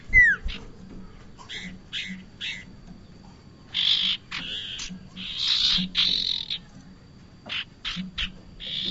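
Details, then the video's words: Bar-winged prinia, played as a trapping lure: an opening falling whistle, then spaced buzzy double notes and louder harsh chattering bursts, some repeated in quick pairs. "SUARA UNTUK PIKAT BURUNG PRENJAK"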